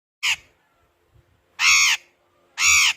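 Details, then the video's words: Parrot calling, three loud harsh squawks: a short one, then two longer ones about a second apart, over a quiet background. "Parrot talking"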